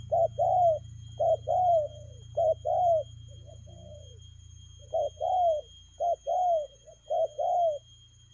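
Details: Spotted dove performing speedy 'lèo gù' cooing. Quick pairs of short and drawn-out falling coos, a pause with soft quiet notes midway, then the rapid pairs resume over low hum.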